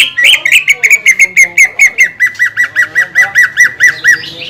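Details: Greater green leafbird singing to stir other leafbirds into song: a long rhythmic chain of about twenty short, clipped, slightly descending whistled notes, steady and fast, ending with a thin rising whistle.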